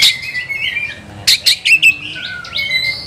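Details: Oriental magpie-robin in an aggressive mood, singing loudly in search of an opponent. Bright sliding whistles give way to a cluster of four sharp emphatic notes, then falling and rising whistled slurs.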